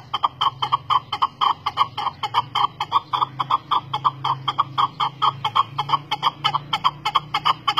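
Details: Chukar partridge (Alectoris chukar) used as a lure call: a rapid, rhythmic stream of clucking chuk notes, several each second, kept up throughout over a low, constant hum.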